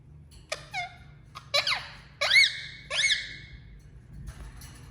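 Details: Pet Indian ringneck parakeet: a few loud, harsh squawks and bent, sliding whistled notes in short bursts, separated by brief pauses, indoors with faint low hum.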